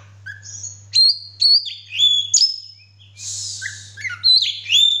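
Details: Oriental magpie-robin singing actively while spreading its tail: clear high whistled notes, some sliding downward, mixed with a harsh buzzy burst and scattered chirps, over a faint low hum.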